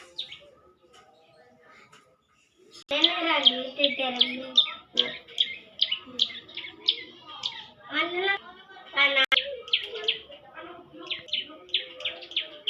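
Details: Young bar-winged prinia singing actively: a dense, busy stream of sharp high chirps and short downslurred notes, irregular and overlapping, with softer lower chattering beneath, after about three seconds of near silence.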